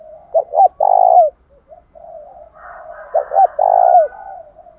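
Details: Caged decoy spotted dove giving a loud fighting coo to provoke caged doves into calling back; two short clipped notes followed by a long sustained coo, the phrase repeated twice with softer cooing between.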